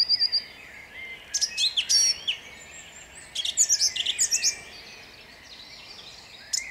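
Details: Song thrush at dawn, Jabłonna, 29 April 2021: short high phrases of repeated sharp notes and whistles, coming in bursts with quiet stretches between them.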